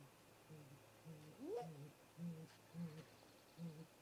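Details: At a great grey owl nest in a snag tree, late afternoon at 18:58 MDT, a pair visits: a sharp upward whoop followed by spaced, low, soft hoots about every half second.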